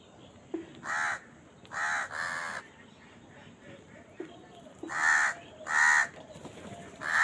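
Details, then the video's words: Crow feeding and calling as crows fight for food; harsh caws in an uneven series of about seven, some paired, with faint clicks between them. "Crow Bird Eating Scenes and Crowing Sound"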